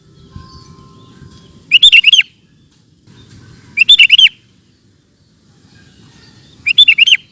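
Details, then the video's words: Super gacor sooty-headed bulbul giving ropel song: three separate bursts of four to five rapid, bubbly whistled notes, spaced about two to three seconds apart, with low background rumble between phrases. "Burung Kutilang Ropel Super Gacor"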